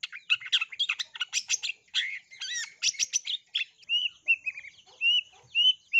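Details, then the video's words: Long-tailed shrike singing a lively lure song packed with imitations of sparrows: dense rapid chattering and buzzy trills for about four seconds, then a series of clear, slurred whistled notes spaced roughly half a second apart. "PANCINGAN CENDET GACOR FULL ISIAN TEMBAKAN GEREJA"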